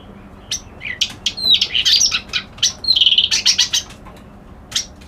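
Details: Reed warbler delivering a fast, jumbled phrase of scratchy chirps, buzzy trills and thin high whistles, loudest in the middle and tailing off into quieter ticks.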